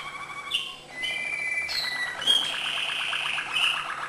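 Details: Malinois canary in acute-note song: sustained high whistled tones over a continuous rolled trill, with brief pauses and a bright buzzy high passage at the end.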